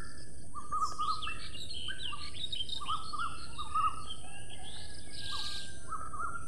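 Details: Parrot calls: a series of short warbled whistles, each about half a second, repeated at a steady pace over a constant background hiss.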